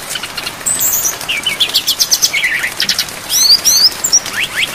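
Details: Songbird training track of a brown-chested jungle flycatcher with rain. Lively mixed phrasing of thin whistles, rising slurs and dry chirps, delivered rapidly and densely over a soft patter of rain.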